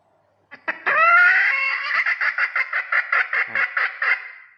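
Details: Recorded red junglefowl hen call played through a small speaker used as a decoy for luring wild junglefowl: a drawn-out rising note, then a quick run of about a dozen clucks, roughly five a second.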